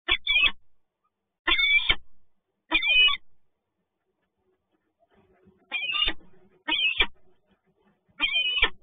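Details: Peregrine falcons meeting at PGE Toruń, Poland, on 2 January 2021: a series of six harsh, rasping calls, three early and three after a silent gap, each short and loud.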